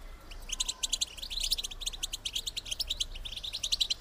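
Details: Female European goldfinch call meant to stimulate males to mate: fast series of thin, high chirps and twitters, rather faint, running continuously with brief louder bursts over a low background hum.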